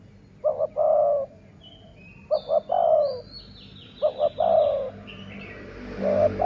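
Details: Sai mueang style dove coo, used to lure wild doves: paired short notes then a longer wavering coo, three phrases about two seconds apart, while other small birds twitter higher up.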